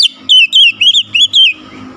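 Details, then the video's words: Oriental magpie-robin singing with open beak: a rapid, loud string of six wavering slurred whistles within about a second and a half, clear and ringing. "KICAUAN KACER BUKA PARUH LEBAR TEMBAKAN PEDAS"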